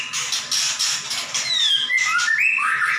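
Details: Caged white-rumped shama in loud song: harsh buzzy bursts followed by clear falling and rising whistled notes.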